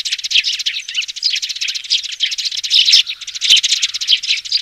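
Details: Young sparrows giving descending calls, played through a speaker for trapping sparrows: a dense, continuous chatter of high, rapid, overlapping cheeps with scarcely a pause; no other sounds stand out.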